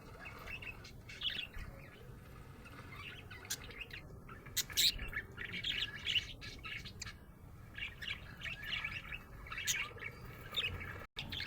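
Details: A happy budgerigar keeps up irregular chirping: quick twittering phrases and sharper single tweets, with a few louder clicks, and a sudden short dropout near the end.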